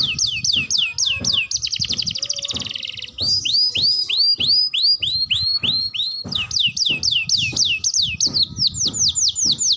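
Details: Young canary practising its song, high and continuous: rapid trills, buzzy rattles and long runs of downward-sweeping whistles, several per second, with faint low knocking in the background.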